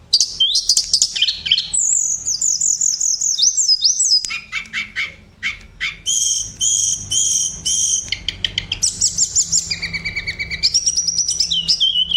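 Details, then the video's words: Tledekan, a vocal tutor bird, pouring out a high, fast, varied song of tumbling trills, sliding whistles and rapid rattling note series, with abrupt switches between phrases and sharp clicking notes near the end. "tledekan sang guru vokal"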